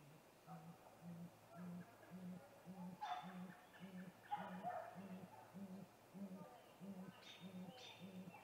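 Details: Great grey owl, a male vocalizing at a snag tree nest around 8:45 pm, 21 April 2019, ahead of a nest visit: a long, steady run of about thirteen low, muffled hoots with faint higher calls and background hum.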